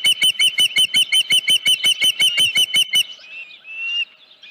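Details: At the Dunrovin Ranch nest on 31 July 2018, 9:43 AM, beside a headless fish, an Osprey gives a quick, even series of loud, shrill chirps for three seconds, then a softer trailing whistle.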